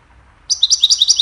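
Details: Goldfinch chirping for training songbirds: a burst of quick, high, evenly repeated twittering notes starting abruptly after a brief silence.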